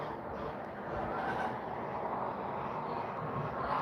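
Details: Steady rumbling traffic noise fills the recording, with no animal call.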